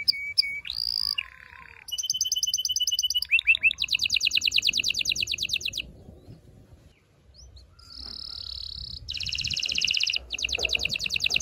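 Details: Continuous canary singing for mating stimulation: whistled and slurred notes, several quick rising and falling trills, a quiet pause, then a sustained high tone and a loud rapid rattling trill.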